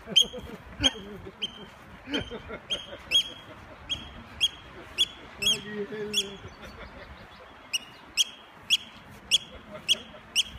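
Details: A Eurasian oystercatcher on the attack, apparently to divert attention, gives loud, shrill 'kleep' alarm notes about twice a second while a man talks quietly underneath.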